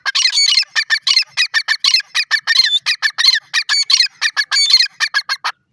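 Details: Teetar francolin feeding, from a breeding setup; a fast unbroken run of harsh, squawking, buzzy notes, many per second, with a sharp ringing edge throughout.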